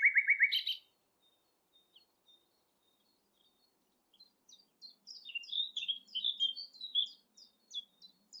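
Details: A Common Nightingale, partly hidden, sings beside a railway path at Thurrock Thameside Nature Park. It opens with a fast, rich run of repeated low notes and a harsh flourish, then after a pause gives quick, varied high whistled phrases.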